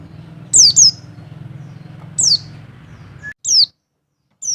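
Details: Mountain white-eye (Wilis) double call used to raise a male's mating urge: a few isolated high, piercing, downward-slurred notes, single or doubled, about a second apart, with a low hum that drops out midway.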